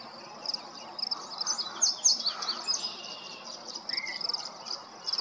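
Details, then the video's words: Yellow-breasted chat giving a dense tangle of high squeaky and chattering notes, followed by a short slurred whistle, with a regular high-pitched pulsing buzz continuing behind the bird. "Yellow breasted chat"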